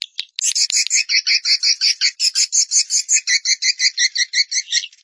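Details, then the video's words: Swiftlet (Collocalia vestita) call sound, one of three call types alongside stay and colony sounds: a rapid, regular series of buzzy chirps, about three per second, each doubled in tone, running through the whole stretch. "Swallow Calling Sound (call voice)"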